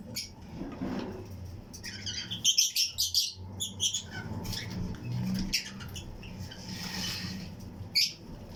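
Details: Pairs of Fischer's and lutino lovebirds in a colony flight cage, chirping among other birds; a burst of quick sharp high chirps in a cluster near the middle, then softer scattered tweets and a lone chirp near the end, low hum behind.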